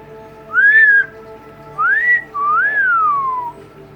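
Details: Double yellow-headed amazon parrot kept indoors, talking to its owner: three clean whistles, the first a short arch, the second rising, the last a long rise and slow downward glide, with steady background hum.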